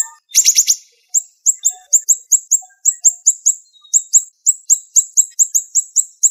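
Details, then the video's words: Siri-siri bird singing a master song of sharp, rapid-fire notes: a burst of four fast rattled chips opens, then a steady, even stream of very high, downward-slurred chips, several per second. "Masteran Burung Siri Siri Tembakan Tajam Speed Rapat"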